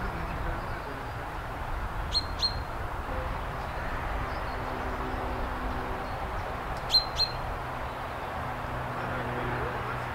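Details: Common chaffinch calling: two pairs of short, sharp, high clipped notes, the first pair just after two seconds and the second near seven seconds, heard over a steady broadband rushing background.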